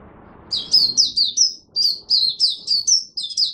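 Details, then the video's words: Oriental white-eye in Singapore performing buka sing, 23 March 2023, rainy, humid, warm and overcast: a continuous, lively string of about a dozen high, quick, slurred chirps delivered almost without pause. "Singapore Mata Puteh Buka Sing"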